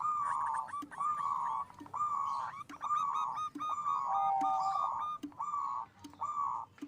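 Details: Loud local zebra dove song for stirring mating drive: long, buzzy, rolling coo phrases repeated roughly every second, broken by short low knocks, with a thin whistled tone in the middle.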